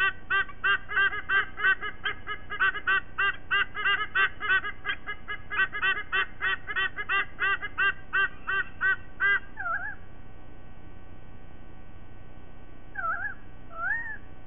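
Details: Sydney white-bellied sea eagle at the nest, morning of 5 October 2023: fast repeated honking notes for about nine seconds, then quieter, wavering, rising whistled notes.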